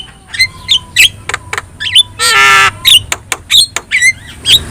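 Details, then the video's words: Javan myna (jalak kebo) with yellow eyes, singing as a tutor for other birds: irregular squawks and clipped whistles, a drawn-out grating rasp in the middle and brief chirps. "JALAK KEBO GACOR MATA KUNING | Untuk Masteran Kicau Jalak"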